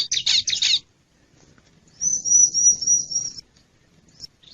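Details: A wild bar-winged prinia, recorded as a lure call for wild birds, gives three quick scratchy chips, falls silent, then delivers a steady high buzzing trill lasting over a second.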